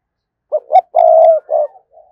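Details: Single spotted dove decoy phrase meant to trigger wild doves: two short rising notes, a sustained mellow coo and a brief closing note, in a quiet setting.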